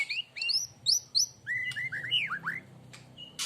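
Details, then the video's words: Young white-rumped shama of the Aceh type singing in the saluting-the-referee style: bright, sharp whistled notes, clear upward slurs and rapid varied phrases, then a few falling whistles and clicks, with a faint low hum behind. "Murai Aceh"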